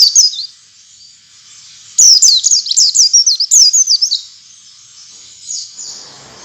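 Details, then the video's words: Oriental white-eye song used as a lure sound to get other white-eyes singing in wild style and opening their beaks: a rapid burst of high, thin, sharply falling whistled chirps lasting about two seconds, then quiet, with a faint trailing phrase. "suara pancingan pleci agar pleci ngalas dan pleci buka paruh buka paruh"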